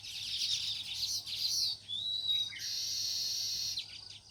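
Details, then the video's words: Sparrows chirping naturally: dense, overlapping high chirps and tweets that form a busy twittering chorus, broken by a short pause and a brief whistled note near the middle. "Natural Sparrows Chirping Sound"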